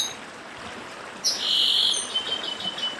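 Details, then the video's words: Northeastern chestnut-bellied seed finch song with stream noise: a single loud high whistled phrase, sustained and slightly falling, followed by softer scattered notes over the rush of running water. "Papa Arroz Dedim com Som de Riacho (Papa arroz do Nordeste)"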